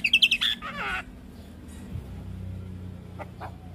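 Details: An adult Javan myna, whose song is used to train young mynas, gives a quick burst of bright chirps and whistles, then a harsh, scratchy phrase, before a low hum and quiet background.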